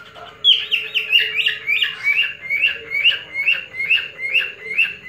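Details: Caged male cockatiel courting a female with his special whistle: about a dozen bright, upward-sweeping whistled notes repeated rapidly and rhythmically, roughly three per second, over a faint low hum.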